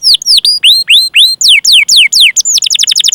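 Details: A canary giving loud "cuit cuit" chirps as a singing lure for young canaries: about a dozen clear sweeping whistles, rising then falling in pitch, ending in a fast buzzy roll.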